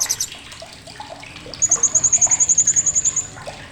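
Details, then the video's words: Sharp, high-pitched chattering from a blue-crowned hanging parrot, kept as a tutor recording for songbirds: a long, even run of about seventeen rapid buzzy pulses, preceded by soft mixed chirping from other birds. "CRECETAN TAJAM BURUNG SRINDIT"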